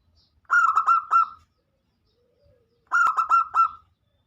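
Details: Local zebra dove in full song, used as a lure to get other doves singing: two short phrases of four rich, rolling coo notes, with a quiet pause between them.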